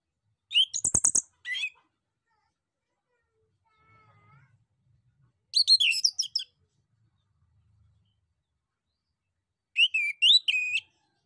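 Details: Male orange-headed thrush singing to provoke answers from other birds: three short bursts of dense chattering, high scratchy notes spaced about four seconds apart, with a faint whistle and low rumble between.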